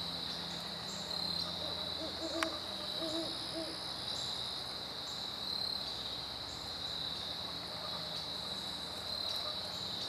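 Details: Great horned owls dueting, September 15, 2012. A brief cluster of deep, muffled hoots comes a few seconds in over an unbroken high insect drone, followed by long stretches of insect sound alone.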